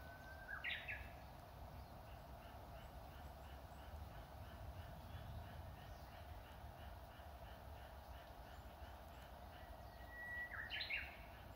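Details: Japanese bush warbler singing in spring at an old temple, Matsumushi-dera in Inzai, Japan, among cherry trees in full bloom: two songs, each a long steady whistle then a quick jump to higher flourished notes, with faint repeated chirps and low rumble between.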